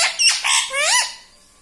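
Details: Pet rose-ringed parakeet, a talking green ringneck, giving a short run of squawky speech-like syllables indoors, ending in a rising and falling whistled note.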